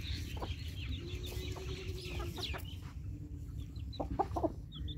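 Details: Chickens being fed in the morning: soft, scattered clucks and a long, low drawn-out note, all set against heavy low-pitched background rumble.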